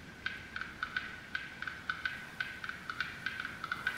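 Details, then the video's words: In April, as the long winter ends in the Greater Xing'an Range of northern China, a male black-billed capercaillie sings a courtship song to attract a mate: a dry series of sharp, knocking clicks, about three a second. A rival male soon joins. "This male capercaillie is singing to attract a spouse."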